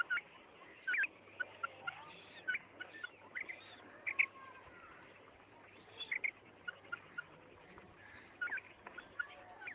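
A female common quail gives short, rasping, squeaky notes in small bursts every second or two, over a faint steady low hum.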